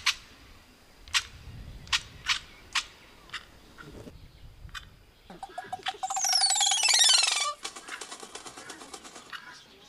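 An oropendola gives a few sharp, dry clicks, then a loud, liquid gurgling burst that pours steeply downward in pitch before stopping abruptly.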